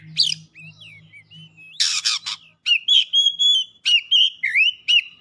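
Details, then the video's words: Oriental magpie-robin (kacer) in aroused song, delivering its repertoire of imitations: a few looping whistles, a loud harsh rasping burst, then a fast run of clear whistled notes repeated several times per second. "KACER GACOR LANGSUNG MEMANAS NAIK EMOSI BONGKAR ISIAN"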